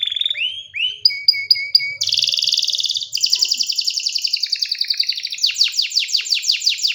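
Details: Varied canary song opening with upward-curving whistles and clipped repeated notes. A loud buzzy trill follows, then a rapid rolling passage and a series of sharp descending chirps.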